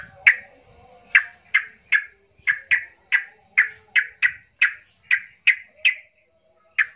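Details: Emotional 'trucukan' lure of a yellow-vented bulbul for provoking quiet birds into singing: abrupt, rasping chattered notes, some paired, running about two to three per second over a near-silent background.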